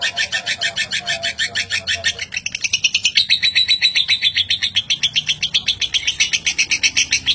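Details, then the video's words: Lovebird giving a long 'ngekek panjang' chatter, used as a model for training other birds. Rapid, harsh, metallic notes repeat about four times a second in an unbroken run, rising slightly in pitch midway, over a faint low hum. "Lovebird ngekek panjang"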